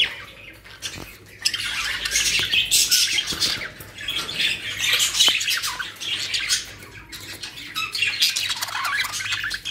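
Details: Captive colony of budgerigars, called Australian parrots, kept in Pakistan, giving dense overlapping high chirps and scratchy squawks in bursts that swell and fade over about ten seconds.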